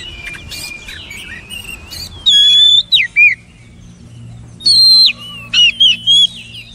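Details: Clear whistled song of an Oriental magpie-robin: after a soft warble, loud sustained high whistles ending in quick down-slurs, given in two bursts with a quiet gap between.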